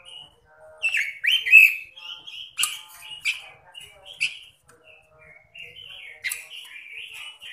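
A robin sings a busy, varied run of slurred whistles and chattering notes, with sharp scratchy clicks and brief pauses; no other sounds stand out.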